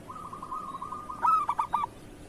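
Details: Local zebra dove, kerot song style, a master for dove training: a quiet, purring trilled coo builds into a short, loud, stuttering burst of three or four coos.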